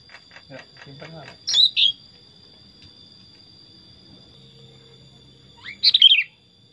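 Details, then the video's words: Pet sooty-headed bulbul sings two short bubbly whistled phrases about four seconds apart, each a quick tumble of clear notes, after some soft clicking sounds, with a steady electrical whine throughout. "Kutilang Super Gacor Suara Alami Hutan"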